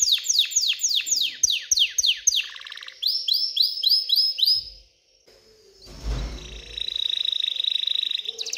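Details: Excited canary song aimed at stimulating females to mate and build a nest: a series of loud downslurred sweeps, then quick rising notes, a brief pause with a soft thump, and a long steady buzzy trill.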